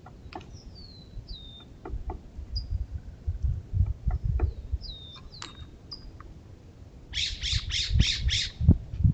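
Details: Raucous Steller's jay at a feeder protesting a California scrub jay: near the end, five harsh, rasping shrieks in rapid succession, following thin descending whistles and scattered clicks over a steady low rumble.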